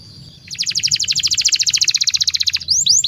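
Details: Canary singing a master song to train young birds: a steady fast trill of repeated notes lasting about two seconds, then rising sweeping whistles, low hum behind.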